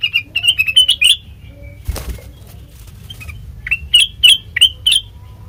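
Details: A lure recording of a sooty-headed bulbul: a fast rising series of chirps, then a brief whoosh of wings and a pause, before another string of sharp, evenly spaced chirped notes.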